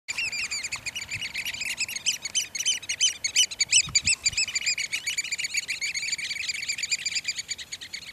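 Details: Eurasian oystercatchers displaying at Port Carlisle near Bowness on Solway, Cumbria: a loud, fast chorus of shrill piping notes from several birds, rapid and overlapping, with faint low background noise.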